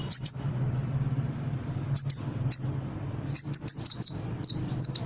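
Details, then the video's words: Brown-throated sunbird song used as a lure so captive sunbirds respond quickly and start singing: sharp, very high chips in small bursts separated by pauses, over a steady low hum. "Suara Konin gacor pancingan burung bahan cepat respon dan bunyi"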